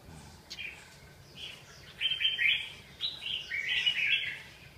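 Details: Red-whiskered bulbul singing short warbled, whistled phrases, bright and slurred, in bursts of about a second separated by brief pauses, over a quiet background.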